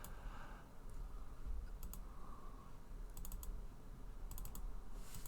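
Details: Bursts of rapid keyboard typing separated by short pauses, over a low room hum; no animal voices present.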